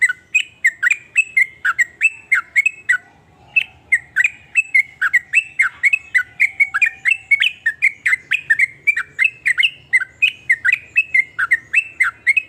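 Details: Sooty-headed bulbul singing nonstop in 'nrooel' style: a long, steady stream of short, bubbly, slightly harsh notes, about three each second, keeping up for more than twelve seconds with only a brief pause.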